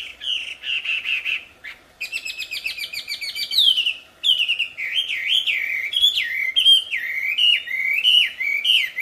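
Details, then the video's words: Wild mountain tailorbird singing energetically: a high whistled phrase held on one pitch, then quick stuttering notes and a run of rising-and-falling slurred whistles repeated about once a second. "Burung wambi liar gacor"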